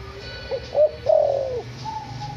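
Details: Tame six-month-old white backspot spotted dove, a captive-bred bird from Semarang, Indonesia, with a calling pattern described as kuk 1 nyandung 2; a short hoarse cooing phrase, a brief note then a longer falling coo, over faint steady background tones.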